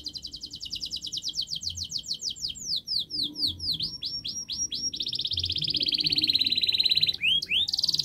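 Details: Canary song, a training recording meant to prompt silent canaries to sing: fast repeated high trills, some notes sweeping downward, then a long steady buzzy rattle and rising whistled notes near the end; faint low hum beneath.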